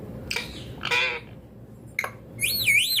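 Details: Rose-ringed parakeet calling indoors: short harsh squawks and a raspy burst, then a loud wavering whistled call rising and falling twice, over a steady low hum.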